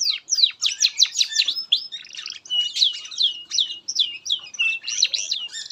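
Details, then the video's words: Canary singing loudly, a song used as a master recording for training young canaries and birds that stop singing: fast chattering trills and rapid descending sweeps, then a run of repeated slurred whistles, clean background. "SUARA BURUNG Kenari GACOR PANJANG INI Cocok untuk Masteran KENARI PAUD dan Kenari Macet"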